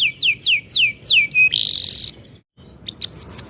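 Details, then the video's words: Canary in full long song, played to encourage young canaries to sing: five falling whistled slurs, a loud harsh buzz, a brief pause, then scattered high chirps. "kenari gacor panjang AMPUH buat PANCINGAN KENARI PAUD AGAR RAJIN BUNYI JADIKAN burung KENARI GACOR"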